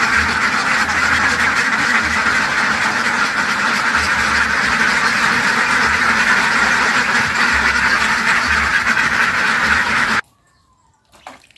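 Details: A large group of ducks keeps up a loud, steady chorus of overlapping nasal quacks. It ends with a sudden cut to near silence and a faint call.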